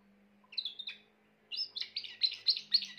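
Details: Grey Timbrado canary song: two brief whistled chirps, a pause, then a fast stream of bright, rolling trilled notes repeated nearly four times a second over a faint low hum.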